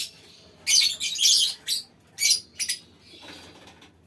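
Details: Aviary lovebirds giving several loud, harsh, high squawking bursts, each under a second, with faint chatter between them.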